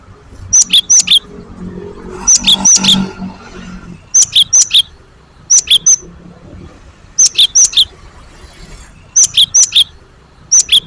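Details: Great tit lure song, gelatik batu style, used to draw other birds into song. Paired notes, a high clear whistle then a lower slurred one, come in short bursts of two or three pairs roughly every two seconds, with faint rustling between.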